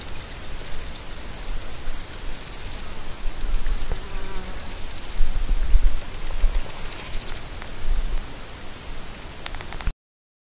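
Blue-bearded Helmetcrest giving thin, very high chips and short twittering bursts in scattered clusters over steady low wind rumble.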